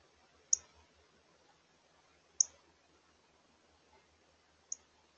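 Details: Edgy female Northern cardinal with her crest up at evening dinnertime: three sharp, high chips spaced about two seconds apart over quiet background.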